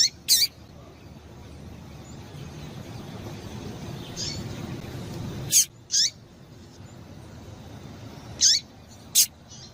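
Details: Calls of a female Rusty-collared seedeater, meant to excite males into song: brief piercing notes dropping quickly in pitch, some in close pairs, spaced irregularly across the stretch with a soft background rumble.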